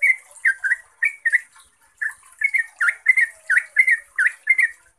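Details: Yellow-vented bulbul, lure for caged birds: warbling, liquid notes in paired bursts, some sharply dipping then rising, after a brief pause mid-phrase.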